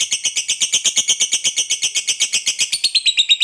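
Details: Long ngekek chatter from a fighter-type lovebird: an unbroken, shrill rattling trill of roughly seven pulses a second, buzzy and even, ending with a thin whistled note on top.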